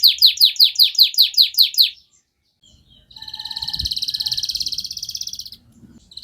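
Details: Domestic canary in energetic 'gacor emosi' song with cuit-cuit notes, used to provoke stalled canaries into singing: about ten rapid downward-sweeping whistled notes over two seconds, a short pause, then a long buzzy rolling trill; faint low rumble beneath.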